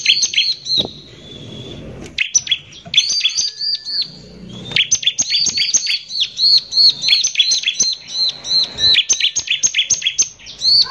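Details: Bar-winged prinia in full song, a harsh 'nembak kasar' lure recording meant to rile other prinias; rapid high chirps and buzzy trills tumble in dense bursts, separated by short pauses and a few long thin whistles.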